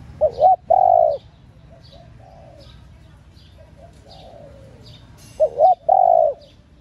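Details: A female spotted dove coos to excite males. Two phrases about five seconds apart, each a quick wavering double note and then a long, even coo. Softer distant coos and thin high chirps fill the gap.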